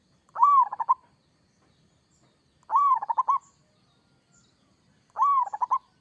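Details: Local zebra dove singing in the 'gacor kerot' style: three phrases about two and a half seconds apart, each a rising-falling mellow coo followed by a quick run of clipped, stuttering notes, with faint low rumble beneath.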